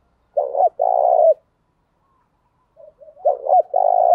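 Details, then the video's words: Spotted dove cooing, male and female voices used to urge other doves to coo: a short double coo then a long rolling coo, a pause of about two seconds, then the same phrase again; quiet background. "tieng chim cu gáy thúc đấu, cu gáy kích bổi nhanh nổi gù/ tiếng thúc"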